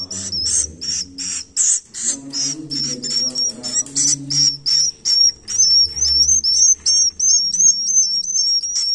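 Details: Swiftlet nestling calls: a rapid series of very high, thin, slightly rising whistled chirps, often doubled with a raspy edge, repeated several times a second, over faint low murmuring background.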